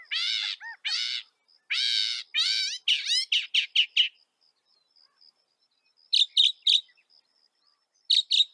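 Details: Singing northern mockingbird from North America, opening with harsh buzzy repeated notes, then a run of quick descending chips, a quiet gap, and a few sharp high chirps near the end.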